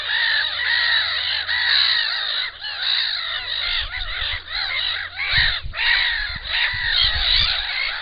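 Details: Several black-winged stilts calling at their nest with an enlarged clutch: a continuous, overlapping stream of sharp, nasal yapping notes, loud throughout, with occasional low thumps or handling noise underneath.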